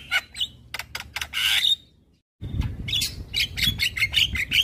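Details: Javan myna in lively morning song used to prompt other birds: rapid chirps and a harsh rasp, a brief silence, then more quick squeaky notes over low rumbling noise.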